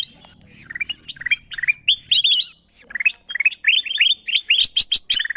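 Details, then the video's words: Calls of the kutilang emas bulbul used to lure wild birds: soft chirps building into louder, rapid rising whistles, ending in an intense chattering burst. "Suara pikat kutilang emas memanggil burung liar"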